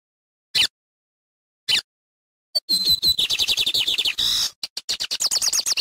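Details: Lined seedeater singing loudly in nature: two isolated sharp clicks, then a fast burst of high, thin chirps and buzzy notes tumbling in quick succession, about three per second, with no other sound behind it.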